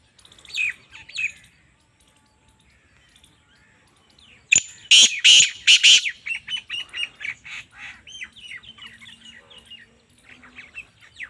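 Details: Calling female black francolin: faint scattered notes, then an abrupt burst of four loud, harsh, grating notes, trailing into a rapid series of softer chattering notes that fade out.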